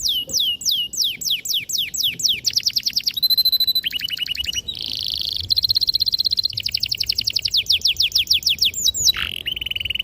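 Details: Long loud canary song used to train young birds, running from falling whistles into rapid trills, steady buzzy tones and extended rolls.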